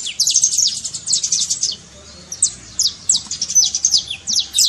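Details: High, chattering trincado from a saffron finch, used to stir a quiet canary into song: quick bursts of thin downswept notes, a short lull near the middle, then more spaced sharp chips.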